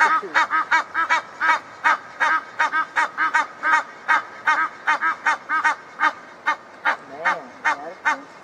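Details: A backyard pair of Egyptian geese keep up rapid, rhythmic nasal honking, roughly two or three notes a second. Some notes bend downward near the end of the stretch.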